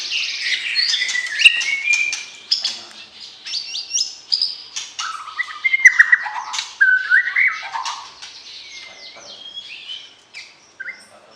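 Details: Mating song of a caged white-rumped shama, used to arouse a partner before breeding: rapid varied chirps and clicks, then lower warbling slurred whistles in the middle, tapering to sparse high notes.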